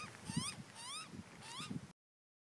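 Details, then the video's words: A juvenile Australian magpie begs its parents for food with three whiny, wavering squeals, each rising then falling, about two-thirds of a second apart, while a crow lurks nearby; low background rumble. "Young Magpie Begs Parents For Human Food"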